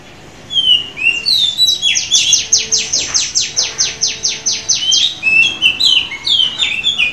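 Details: Oriental magpie-robin offered at auction, recorded at midday, singing loudly: varied whistled notes that open into a long, fast run of repeated high buzzy strokes, about four per second, then return to slurred whistles.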